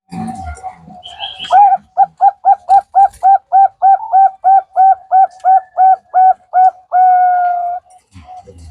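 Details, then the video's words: Bangkok zebra dove lure song for prompting other birds to sing: a brief scuffle, then a fast even series of about eighteen sharp coos, ending in a long held note. "pancingan perkutut Bangkok"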